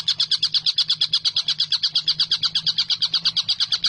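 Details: Vigorous collared kingfisher calling used as a model for cage songbirds: crisp, high, harsh 'kek' notes repeated very regularly, about seven every second, above a steady low hum.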